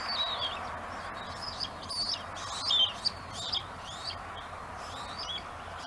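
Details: On a Gabriola island nest under a webcam, a bald eagle keeps prey while another eagle waits to steal; rapid run of sharp, high chirping whistles, busiest early, fading into scattered notes over hiss.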